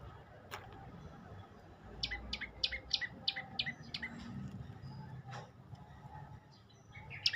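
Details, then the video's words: Olive-backed tailorbird giving a brief burst of quick, high, clipped notes in mid-clip, set against steady low background hum and scattered clicks. "Kicau indah burung prenjak lumut"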